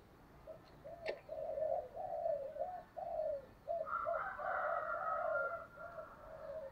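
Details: Spotted dove cooing in the thổ style with fight-urging phrasing, aimed at making lazy wild-caught doves coo. A steady run of rounded mid-pitched coo notes over noticeable background hiss, joined midway by a higher, rougher cooing layer.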